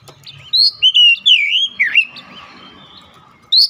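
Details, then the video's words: Lure song of an Oriental magpie-robin used to stir other magpie-robins into singing their imitations; bright rising and falling whistles joined in a short phrase, a dipping swooped note, then silence and one final high whistle. "SEKALI DENGAR PANCINGAN AMPUH INI | Kacer lain langsung gacor ngotot bongkar isian"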